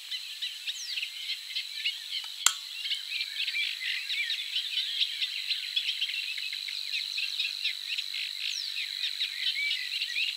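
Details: Eurasian reed warbler singing low in reeds: a steady, unbroken chatter of scratchy, repeated high, even-paced notes, with one sharp click partway through; Savi's warbler reeling in the background. Eurasian reed warbler.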